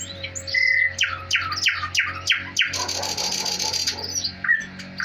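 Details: Thrush nightingale (Luscinia luscinia) singing at home indoors: a loud phrase of rapid, descending piping notes, then a dry rattling trill and clear whistles, over a faint indoor hum.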